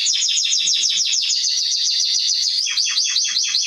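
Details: Canary song used to train young birds: fast high trills of repeated down-slurred notes, a steady rolling series that speeds into tighter rattles near the end, loud and unbroken throughout.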